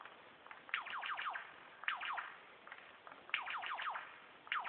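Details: Male superb lyrebird hidden behind bushes, performing mimicry that includes laser gun, kookaburra, whipbird, whistler and magpie sounds; bursts of rapid, steeply falling zapping sweeps, four or five per burst, repeated roughly every one and a half seconds.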